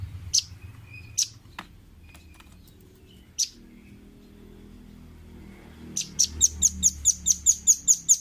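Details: Velvet-fronted nuthatch, training audio for caged birds to learn: a few isolated high chips over a faint low hum, then a steady series of sharp high notes repeated about four per second.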